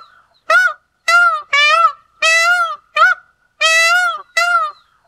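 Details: Indian peafowl (Pavo cristatus) repeating loud trumpet-like cries at a brisk pace, about ninety per minute, short and longer wails alternating in an uneven rhythm, quiet surroundings.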